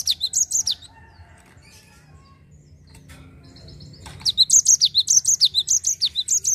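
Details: Java sparrow singing the continuous 'ngerol' style meant to lure untrained birds to sing. A short run of high zigzag notes opens, then a quiet gap, then a longer rapid series of sharp, bouncing chirps.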